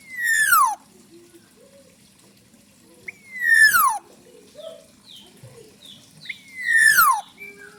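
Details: Wild-caught black-naped oriole giving three loud, harsh, nasal descending calls about three seconds apart. Soft short whistled notes fall between them.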